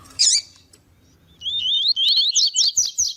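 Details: Male and female double-collared seedeater calling, tuí-tuí song used to stimulate singing: a sharp harsh chip, a pause, then a continuous chain of high looping whistled notes that grow buzzier toward the end.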